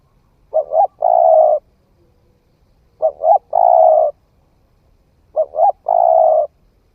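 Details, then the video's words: Young spotted dove starting to call, on a forest trial, delivering three regular phrases of two quick notes and one long low coo, evenly spaced about two and a half seconds apart. "Tiếng chim cu gáy mới nổi thử rừng"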